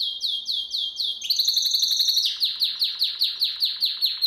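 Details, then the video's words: Canary song used for training young canaries: a run of rapid, falling whistled notes, then a fast trill and a quick buzzy roll, ending in a steady series of sharp downward-sweeping notes repeated several times a second. "Most powerful song for training Canary"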